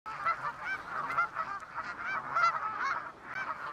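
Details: Canada geese flying over West Somerset towards Exmoor in the morning around the autumn equinox; a flock gives repeated nasal honks, overlapping and steady through the clip.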